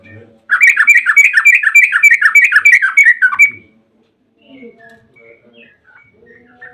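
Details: Yellow-vented bulbul song serving as a lure for bulbuls to answer: a sustained rapid series of bubbly chattering notes for about three seconds, followed by faint scattered chirps.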